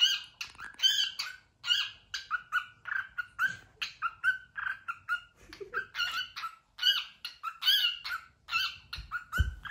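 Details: White cockatiel talking and singing, apparently repeating "cookie cookie": a rapid string of short, harmonic, squeaky syllables in quick bursts, some rising and falling, with brief pauses, indoors.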